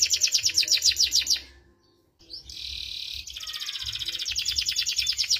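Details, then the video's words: Canary in vigorous song in the Indonesian 'cengkok mewah' style. Rapid, high trilled notes run for about a second and a half, then a short silence, then a buzzy roll and fast repeated chips. "Suara Burung Kenari Gacor cengkok mewah"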